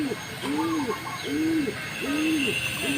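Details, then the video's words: Green pigeon giving low, arched, hooting notes that rise and fall, one roughly every 0.8 seconds, over a steady faint hum and background noise. "Burung Punai Hijau"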